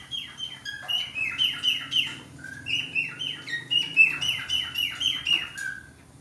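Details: Breeding-condition male budgerigar, kept by a breeder, warbles continuously with rapid high chirps, falling slides and short whistles, bunched in quick bursts several times a second and mixed with squeaky, buzzy notes.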